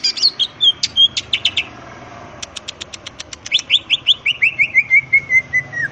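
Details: Greater green leafbird singing in the wild, a varied song used to provoke answers from other birds: slurred whistles and clicks, a rapid ticking series, then a descending run of clear whistled notes.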